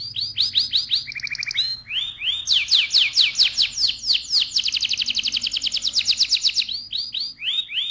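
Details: Kenari AF canary singing loudly in the rolling 'ngerol' style: a fast, bright, high run of varied whistled phrases, trills and rapid repeated chirps, with sweeping notes, a lower buzzy stretch and a long even rattling trill near the end.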